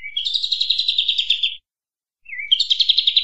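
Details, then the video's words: Kapas tembak bulbul, recorded as a master song for cage-bird training: a low slurred whistle leading into a fast chattering trill, a brief silence, then the same pattern again. "Masteran suara burung Kapas Tembak gacor ampuh 100%"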